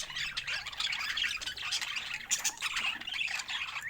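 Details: Pet budgerigars chattering in a dense, continuous mix of squawky chirps and warbling notes, bright and busy, with several birds overlapping throughout.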